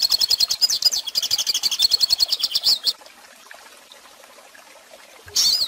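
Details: Young birds learn from this hooded siskin song: close to three seconds of quick, high, twittering notes, then silence, ending with one short, bright burst.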